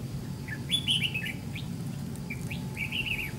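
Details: White-cheeked Red-whiskered bulbul, wild-caught and lured to a decoy in a fight trap, sings bright slurred whistles in two rapid phrases, one falling and one wavering, over constant low background hum.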